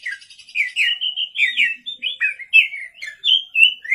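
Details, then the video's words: Night-time lure song of an energetic Oriental magpie-robin (kacer): fast, clear whistled phrases that slur up and down, mixed with brief buzzy chirps, delivered in an unbroken lively stream. "pancingan kacer gacor malam hari"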